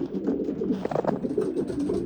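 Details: Racing homer pigeons, males claiming nest boxes in a loft during the mating season, coo in low repeated rolling phrases, with some clicks and wing or foot noises in between.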